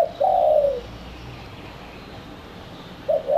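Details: Lure call of a spotted dove for drawing in doves: one drawn-out, soft descending coo, followed by a pause and the short opening notes of the next phrase.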